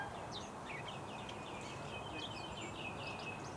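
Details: Bluethroat delivering a brisk sequence of sharp, high chirps and downslurred whistles in quick succession, the phrase running unbroken through the short excerpt with constant background noise.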